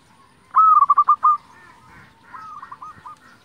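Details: Lure song of a local zebra dove, used to stir silent doves into singing. One loud phrase opens with a drawn-out coo, then rapid clipped notes. A softer, similar phrase follows after a short pause.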